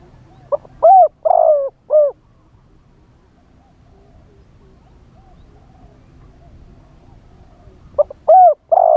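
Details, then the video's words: Caged decoy spotted dove calling live in wild kharam pa style to draw in wild birds; a four-note cooing phrase, a long quiet pause of about six seconds, then the next phrase starting. "เสียงต่อนกเขาใหญ่ คารมป่า 100 % ต่อสด"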